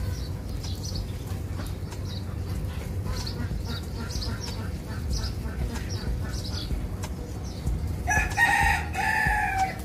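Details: Egyptian geese: faint, thin, repeated high chirps over a steady low rumble, then a loud, harsh, broad honking burst with strong overtones near the end, lasting about a second and a half.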